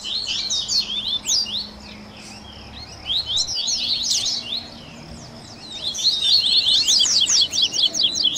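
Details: Coleiro (Double-collared seedeater) in a 'baderna' song mix meant to warm up and train caged birds: quick, high zigzag whistles in overlapping phrases. The notes sound thinner mid-clip, then a dense, loud burst comes near the end.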